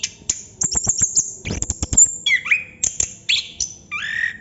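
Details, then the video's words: Chestnut-capped thrush in 'ngerol' song: a run of sharp rapid clicks first, then rich whistled notes that slide and drop, ending in a lower buzzy phrase. "Burung Anis kembang / Plontang Ngerol Non stop durasi panjang"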